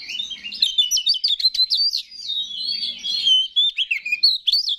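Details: Kacer, the Oriental magpie-robin, singing to stir other males' emotions: dense rapid twittering and chattering, then a sustained clear whistled phrase, ending in quick sharp notes.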